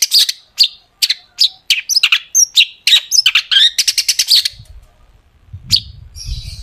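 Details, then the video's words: Long-tailed shrike in vigorous song packed with sharp rapid-fire phrases, played as a lure to get other shrikes singing: high chirps and slurred whistles in quick bursts, then a dense trill of clicky notes, a faint low rumble near the end. "cendet gacor FULL ISIAN TEMBAKAN TAJAM untuk PANCINGAN CENDET AGAR BUNYI"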